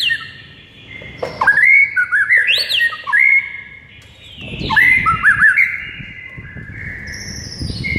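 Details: White-rumped shama, a bird said to go from silent to excited on hearing morning tutor recordings: two loud rich phrases mixing level whistles, wavering slurs and high sweeps, a quieter gap between them, soft whistle fading at the end.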